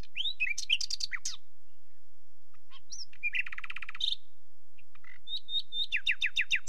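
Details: Nightingale song: a jumble of slurred whistles and sharp notes, a dense buzzing rattle, a clear high note, then a fast run of repeated down-slurred whistles accelerating at the end.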